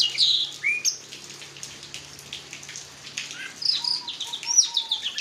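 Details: Orange-headed thrush in teler style, swaying as if on a merry-go-round; loud high slurred whistles open and close the passage, with quieter mimicked-sounding notes and a faint steady hum between.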